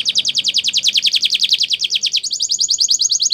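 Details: Spanish Timbrado canary training song: a fast, even roll of short downslurred notes, about six a second, switching after two seconds to a higher, brighter trill of rapid clipped notes. No other sounds.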